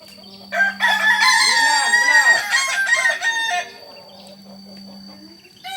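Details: A Kukuak Balenggek cock from Solok delivers a bright, strongly harmonic crow of about three seconds, broken into many fast tremulous syllables, with a low steady hum beneath and a short new crow starting at the end.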